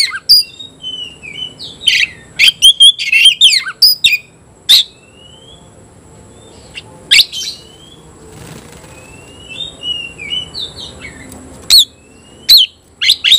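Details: Oriental magpie-robin singing to challenge a rival, pouring out rapid sharp clicks and chattering bursts mixed with short whistled slurs, broken by gaps of quiet, over a steady faint background hum.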